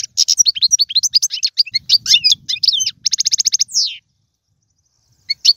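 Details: Goldfinch song of the tiwawati, galoubi and serfati styles: continuous bright tinkling twitters, a fast rattling trill of evenly spaced notes, then a long falling buzzy sweep, with a soft twitter after a pause.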